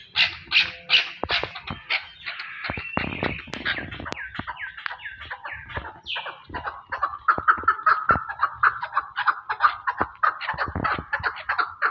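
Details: Chukar partridge in Pakistan delivering a long, fast rattle of clucking notes, loud at first, then a busier, lower-pitched run of rapid chucks toward the end.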